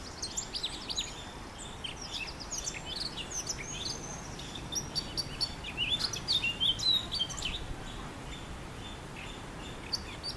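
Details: Male Eurasian blackcap singing in a honeysuckle bush: varied high rapid warbling phrases with quick twittering notes, growing louder and richer toward the middle, against steady background noise.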